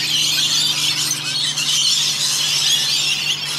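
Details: Rainbow lorikeets in Australia, around a hundred of them, bathing in a rain gutter. A constant wall of harsh, high-pitched squeals and chatter from many birds, backed by a faint mechanical hum.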